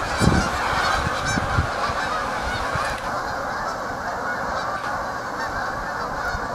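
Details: Big flock of geese honking at once: a thick, unbroken chorus of overlapping calls, with a few clearer, nearer honks and low thumps in the first seconds before settling into a steady roar.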